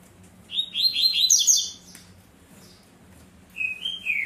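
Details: Captive Double-collared Seedeater, known locally as coleira, in the tui tui or zel zel song style: a rapid cascade of high, sharp twittered notes, a pause, then two or three clear whistled slurs.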